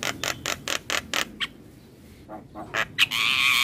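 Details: Javan myna singing in the morning, a lure recording for young mynas: a run of six harsh, broadband, evenly spaced notes, a pause, then scattered rasping notes ending in a sustained buzzy, whistled phrase.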